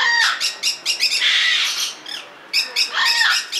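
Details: Captive blue-and-yellow macaw at Belgrade's zoo, Serbia, in February 2022, giving loud, grating screeches in quick bursts, a longer raucous squawk, a pause, then more harsh calls.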